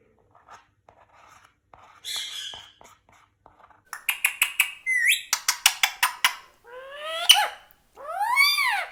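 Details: Indian ringneck parakeets kept free-roaming indoors: soft clicks, then a rapid series of sharp clipped notes, followed by rising whistled squawks; a woman speaks briefly.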